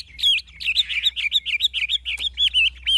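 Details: Old wild-caught Chinese hwamei in authentic forest-voice style, rattling off a fast run of clear, looping whistled notes, about four per second, each bending up then down in a steady repeated pattern.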